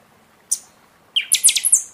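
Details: Buffy-fronted seedeater singing heavily in season, a recording meant to fire up caged birds after moult: one sharp high note, a pause, then a rapid burst of six bright, ringing strokes.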